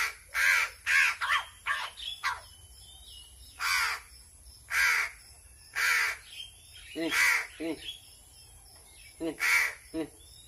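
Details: A hungry crow begs noisily while being fed, uttering around a dozen raspy caws, some in quick clusters, mixed with short nasal warbling notes and a faint whistling bird in the background.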